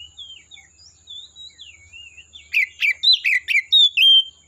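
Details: Oriental magpie-robin in the wild forest: a string of soft warbled whistles building to loud, quick, descending whistled phrases repeated about four times per second, ending on a long bright whistle.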